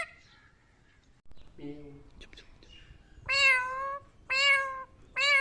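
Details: Talking Indian ringneck parakeet copying voices: a short low murmured phrase, then three loud cat-like meows, each about half a second long and roughly one second apart, rich and nasal with a slight rise and fall.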